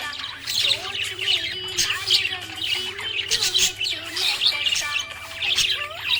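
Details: Happy budgerigar chirping: dense, rapid high warbling and scratchy twitters, nearly continuous, over steady sustained musical tones and a low hum.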